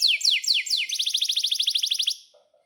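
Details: Atlantic canary in song, used to teach young canaries. Four steep descending sweeps lead into a fast, even trill that fades out.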